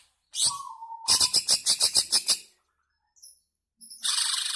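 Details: Long ngebren song of a greater green leafbird, meant to spur caged birds into singing: a steady low whistle, then a rapid rattling series of about ten sharp, high chirps, a pause with faint high notes, and a final harsh buzzy burst.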